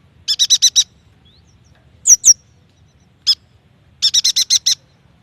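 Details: Yuhina singing, played to stimulate young, freshly caught or mute birds; quick runs of five to six bright chattering notes, a pair of sharp downslurred whistles and a single clipped note between them.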